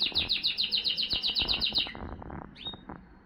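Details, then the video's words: A male Timbrado canary sings a rapid, rolling trill of bright metallic notes, about twelve per second, then breaks off into a single high whistle. "Τιμπράντο Καναρίνια"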